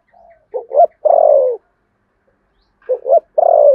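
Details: Spotted dove in contest cooing, 'Sấm Thổ' voice: a faint lead-in note, then two short rising notes and a long tremulous falling coo. After a pause of over a second, the same phrase starts again. Quiet background.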